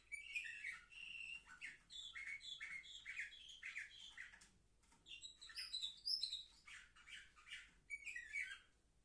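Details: Young canaries, seven months old, kept indoors, recorded on 10 November 2023: varied song of buzzy rolls and bright whistled notes, a short pause near the middle, then sharper high trills resume.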